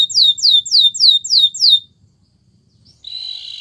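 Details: Training song of a canary: six clear, descending whistled notes in a steady rhythm, a short silence, then a soft buzzy trill starting.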